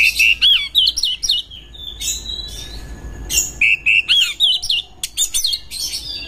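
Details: Oriental magpie-robin seeking a rival to fight: clear looping whistled phrases repeated twice, separated by buzzy harsh notes and sharp clicks, with low background hum.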